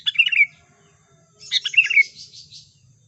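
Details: Two bubbly chirping phrases from a sooty-headed bulbul, played as a lure for catching birds. The second phrase is longer and ends in a falling whistle followed by softer twittering.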